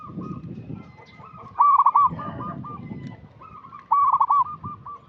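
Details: Local zebra dove lure call, used to prompt young untrained doves: two loud, rapid, stuttering coo phrases about two seconds apart over softer repeated cooing and a low background murmur.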